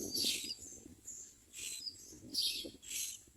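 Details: Myna chicks begging while being fed, harsh raspy hissing bursts repeated about every second, with faint low rustling underneath.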